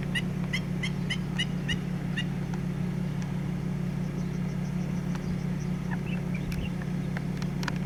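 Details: A Black-winged Stilt in a Taiwan wetland on July 23, 2016, flying back and forth giving warning calls for its chicks: a fast run of sharp, nasal yelping notes, several per second, then scattered fainter calls, over a steady low engine-like hum.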